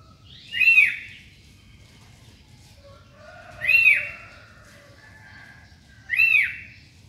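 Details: Morning song of a sooty-headed bulbul. Three loud, arched whistled phrases come about every three seconds, each with a bright rising-then-falling note. Quiet pauses fall between them.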